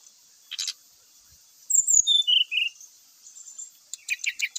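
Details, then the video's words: Song of a Brown-chested jungle flycatcher with fill-in phrases, meant to trigger singing; a brief rattle, then clear descending whistles, quiet pause, and a closing series of sharp repeated chips. "pancingan srdc bikin cepat bunyi , sikatan rimba gacor bikin emosi , srdc full isian.."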